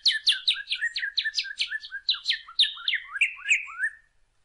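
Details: Saffron finch (canario criollo) delivering a quick string of bright, sharp chirps, each note dropping steeply in pitch. The series slows and lowers toward the end, then fades into silence after about four seconds.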